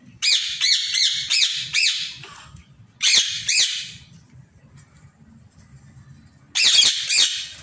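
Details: Aviary-kept Indian ringneck parrot: loud, grating squawks in rapid clusters, four in a row, then a pair after a pause, then another fast trio, each note arched and harsh over soft low background murmur.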